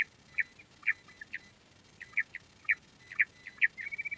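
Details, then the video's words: Quail uttering sparse, sharp chirps, single or paired at irregular intervals, finishing with a rapid trill. "Queen quail sound || Lohari ka Awaaj"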